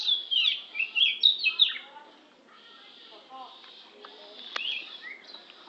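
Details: Lampung oriental magpie-robin giving a burst of bright slurred whistles for about two seconds, then only faint, quiet notes follow.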